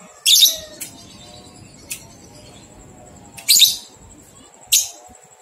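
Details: Ngekek from a lovebird, used to train two-month-old youngsters to sing: three loud, piercing, raspy bursts spaced unevenly with small sharp ticks between, and a steady thin high whine running throughout.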